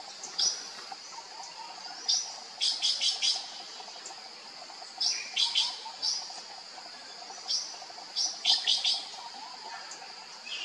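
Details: Sri Lanka blue magpie calling: loud, high, harsh chattering bursts in short clusters of three or four notes, repeated every couple of seconds over a steady insect drone.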